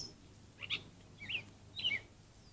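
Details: At a bird bath on 19 May 2024, a Song Sparrow gives three short, sharp chip notes, a little over half a second apart, over a faint low background hum.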